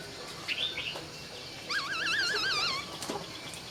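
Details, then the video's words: Laughingthrush singing at dawn, a warbling wavering whistled phrase of quick up-and-down notes after a few soft short calls. "Nghe Tiếng Chim Khướu Hót Cực Hay"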